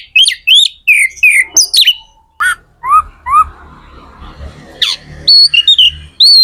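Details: Energetic magpie-robin (kacer) song meant to rouse other kacer into singing: quick sweeping whistles, slurred rising notes, brief pauses, then clear high whistled phrases, over a faint low background hum.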